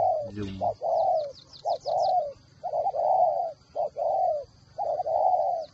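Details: Spotted dove decoy bird with a whistle voice, Ba Vì, Hanoi, Vietnam, giving repeated mellow coos, short notes leading into longer ones, while another bird adds thin high chirps in the background.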